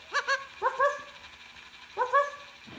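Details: Pet green-pied Indian ringneck parakeet mimicking a dog while barking at its toy dog, giving three paired bursts of harmonic, yappy bark notes spaced about a second apart, with a soft rustle at the end.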